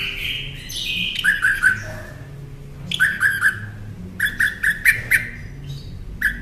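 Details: Northern mockingbird song meant for teaching caged songbirds: a slurred opening note, then crisp three-note bursts repeated, finishing with a faster run of clipped chips.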